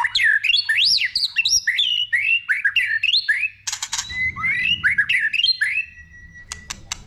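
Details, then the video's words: Rich multi-voiced White-rumped shama song for stimulating other shamas to sing: swooping, looping whistles rising and falling rapidly, a few sharp clicks, then a thin steady whistle fading out. "Kích Chòe lửa hót nhiều giọng"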